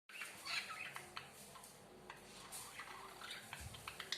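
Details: Pet budgerigars (Melopsittacus undulatus) chirping and chattering in quick, scratchy bursts of high notes.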